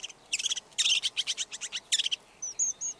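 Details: Song of a red-backed shrike: harsh, rapid chattering bursts of buzzy notes, followed by a few thin, high whistled notes.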